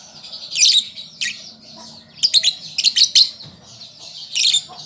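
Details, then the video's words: Juvenile lovebird learning to sing with a steady high twitter broken by louder squeaky chirps, including a quick run of four sharp bursts in the middle, faint low hum behind. "Pancingan Lovebird Paud Belajar Bunyi"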